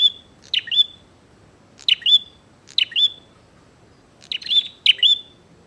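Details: Lively bar-winged prinia challenging a rival, five sharp high double chirps with whistled tails, delivered irregularly with longer gaps between some phrases, quiet surroundings.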